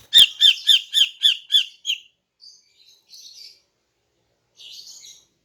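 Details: A female greater green leafbird sings in the morning to lure males, giving a quick string of about seven sharp chirped notes followed by faint buzzy trills after pauses.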